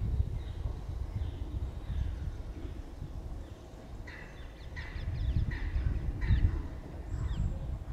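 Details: Crows fighting over peanuts at a territory border, posturing and attacking; a run of rough, repeated caws in the second half, partly masked by heavy low-pitched wind rumble.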